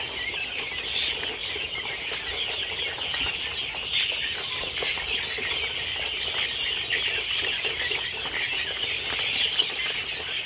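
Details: Farm-kept helmeted guinea fowl, a flock including young birds one to two months old, filling the air with continuous rasping, grating chatter from many birds at once, a steady wall of overlapping calls.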